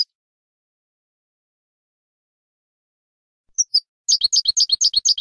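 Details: European goldfinch song in the 'bitbita' style for encouraging goldfinches to sing: after a silence, two isolated high notes, then a quick rhythmic trill of bright, downward-slurred chirps.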